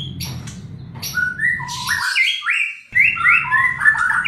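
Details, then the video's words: Lure song of a white-rumped shama for a reluctant singer: crisp high notes and buzzy bursts, then a brief pause followed by rapid stepped whistled phrases jumping up and down in pitch. "PANCINGAN MURAI BATU MALAS BUNYI"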